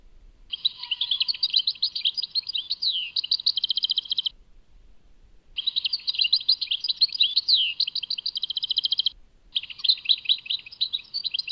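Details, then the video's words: Goldfinch singing, Tadmait: three long runs of fast, high, tinkling notes, each about three to four seconds, mixing chirps and quick rapid trills, separated by brief silences. No other sounds. "Chant chardonneret Tadmait"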